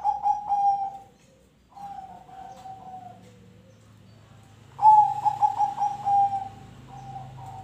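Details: Zebra dove song used as a prompt for other birds: a pulsed coo, a level drawn-out note, a pause, then a loud stuttering run of beaded notes easing into a softer tail, with a low drone beneath.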